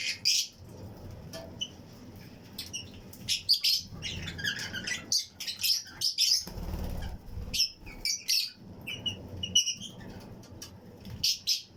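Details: Colony of Fischer's and Lutino lovebird pairs in an aviary flight cage, chirping and singing with other birds around: irregular bursts of sharp, high squeaky chirps, some overlapping, with brief quiet gaps and low rumble.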